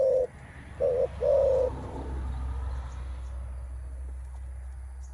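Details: Male spotted dove facing an opponent, cooing as rivals prepare to contest strength: three low hollow coos in the first two seconds, the last one drawn out, then only a steady low rumble of background noise.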